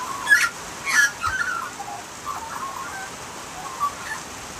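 Australian magpie giving short bursts of mellow, warbling, gurgled notes at a mid pitch, spaced irregularly over a steady background hiss.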